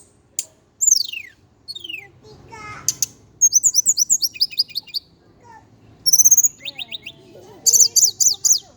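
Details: Javan indigo flycatcher delivering high, steeply descending whistles, then a rhythmic string of short twisting chirps, a pair of bright upslurred notes, and a closing rapid chirp series.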